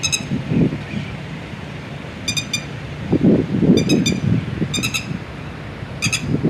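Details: Red-wattled lapwing with eggs and chicks: short clusters of two to four sharp, metallic notes at irregular intervals, set against steady low rumbling background noise.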